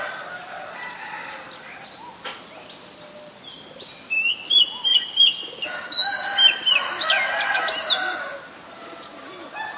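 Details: Oriental magpie-robin in Ubon Ratchathani, Thailand, recorded 7 January 2021 with a Nikon P1000: after quiet background murmur, a run of bright whistled notes and chirps rises midway, with mixed lower clucking sounds and rustling underneath.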